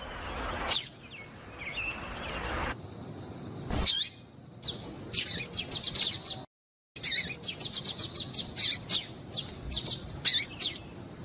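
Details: Female yellow-bellied seedeater (papa-capim), a calling 'piadeira', used to excite the male and make him sing. A burst of high, sharp chirps, then a quick irregular run of about a dozen bright tweets after a brief silence.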